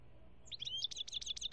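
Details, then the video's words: European goldfinch singing in Algeria, 2017: after a short quiet start, a quick run of bright, high, liquid twittering notes tumbles out in close succession over a faint low background hum. "chont chardonneret algerie 2017"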